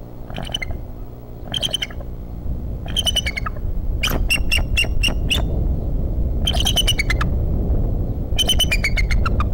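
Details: Wild bald eagles at a nest in Decorah, on a March morning: series of high, thin, staccato chirping calls in rapid trains of five to eight notes, repeated every second or two over strong steady wind rumble.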